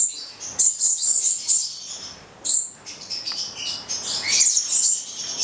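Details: Pair of captive Stella's lorikeets (Charmosyna goliathina), nine months old, from Italy, calling on Valentine's Day: bursts of shrill, high-pitched screechy chirps, some in rapid clusters, separated by short pauses.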